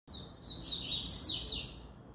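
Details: Double-collared seedeater in a regional song contest of three birds, giving a high, quick twittering song of thin sliding notes for about two seconds over a low background rumble.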